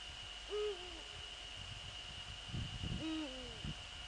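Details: Eurasian eagle-owls in the Netherlands on 15 February 2013 at 04:40, with the male visiting the female near the nest. Two deep, hoarse, slightly falling calls about two and a half seconds apart, over a steady high hiss and faint rustling.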